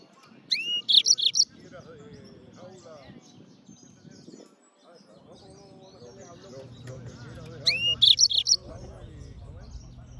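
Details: Yellow-fronted canary (Serinus mozambicus) chirping: two short bursts of bright, high twittering notes, one near the start and one about seven seconds later, with quiet low murmuring background between them.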